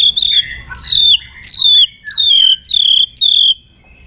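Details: White-rumped shama fighting song for training young birds. Loud, clear high whistles, each sliding downward, are repeated about six times in quick succession with short pauses between.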